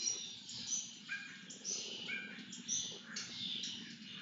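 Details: Lesser Kestrel chicks begging during a feeding with harsh, wheezy, high-pitched rasping calls in overlapping bursts about every half second, plus a few shorter squeaky notes.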